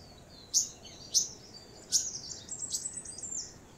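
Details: Nesting purple-rumped sunbirds: three crisp, very high chips about half a second apart, then a run of softer, slurred high twitters amid steady background hiss.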